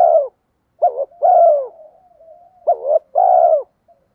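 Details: Cooing spotted dove giving a 'thúc gù' lure call. A cut-off coo opens the clip, then two pairs follow, each a quick dipping note and a fuller, longer falling coo. Faint low murmuring links the phrases.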